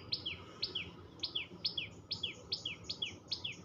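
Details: Tuntuni, the tailorbird, calling in quick repetition: each note a sharp high chip followed by a falling slur, delivered about twice per second, steady and insistent against a low hiss.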